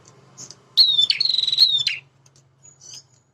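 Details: A male prinia gives one extended phrase: a sharp high note running into a long, pulsing, buzzy trill, then fading chips, over a low background hum.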